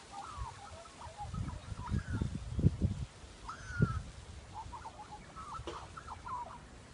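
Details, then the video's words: Australian magpie giving short mid-pitched warbling and gurgling phrases in scattered bursts, strange computer-like sounds, over heavy low thumping and rumbling noise. "Listen to Australian Magpie's strange sounds"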